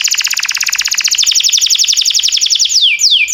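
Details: Training song of a timbrado canary: rapid even pulsed trill of doubled notes running nearly three seconds, followed by two quick steeply falling sweeps.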